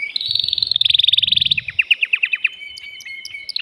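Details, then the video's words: Male canary singing to get a female ready for mating: a dense rapid trill followed by slower downward-slurred notes and a steady whistled tone. "تغريد ذكر كناري هائج يريد تكسير القفص يحفز الأنثي لتزاوج"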